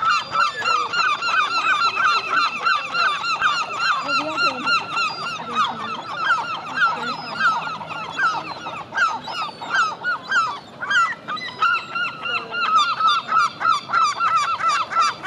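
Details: A Herring Gull family, a pair and their young, calls without pause: loud, harsh repeated notes about three a second, with several birds overlapping in a raucous chorus.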